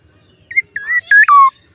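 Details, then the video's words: A black-naped oriole's unusual phrase: a short whistle, a wavering whistled slur, and a pair of loud, grating, nasal notes, the second lower and longer. "kepodang suara Aneh"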